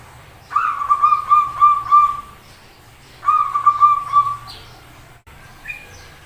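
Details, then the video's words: Zebra dove giving an unusual call: two long runs of rapid, level, slightly buzzy notes at a steady mid pitch, each lasting about two seconds, followed by a brief faint note. "Suara Aneh Perkutut"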